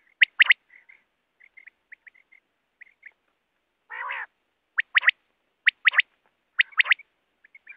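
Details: Wild quail, net-hunting call: a sharp triple-note phrase, quiet short notes, one rough buzzy growl, then four ringing three-note phrases in quick succession.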